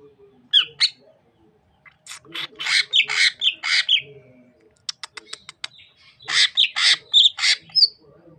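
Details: Sukamade greater green leafbird, an East Java bird from Banyuwangi known for a mimicked opening, delivering harsh squawky bursts and clusters of rasping notes broken by a quick series of thin ticks, ending with twangy whistled phrases.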